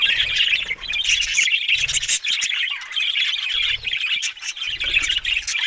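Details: Budgerigar warbling, an unbroken stream of high scratchy twitters and chirps from several birds, while a low droning hum switches on and off in short bursts underneath.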